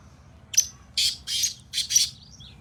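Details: A black francolin calling in fields, its first calling after six months, gives a harsh, rasping run of about five grating notes in quick succession, with little else heard.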